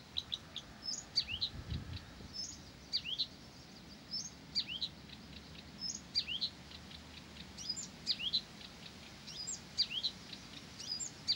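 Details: Blyth's reed warbler singing persistently, repeating a short phrase about every second: high clicks and a sharp down-slurred whistle, with soft ticking between phrases and a faint low rumble beneath.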